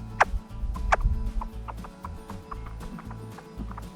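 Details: Burrowing owl parents and owlets in sagebrush desert near Boise, Idaho, after a red-tailed hawk scare, giving short, sharp communication chirps, two louder ones early, then softer ones roughly every third of a second, over low background music.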